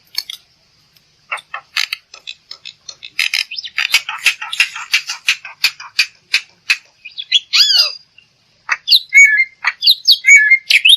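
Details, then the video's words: Black-winged myna singing, recorded to coax other birds into song. Harsh, scratchy squawks and rattling notes give way to twisting whistles and nasal chirps near the end. "Suara Burung Jalak Putih || untuk pancingan"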